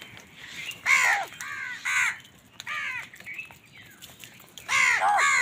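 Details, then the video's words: Crows squabbling with wild birds over food in the morning: repeated raucous caws roughly every second, some loud and rasping, others softer, with short gaps between. "Crows fight with Wild birds for Food | Many Crows crowing sounds and noises in the morning"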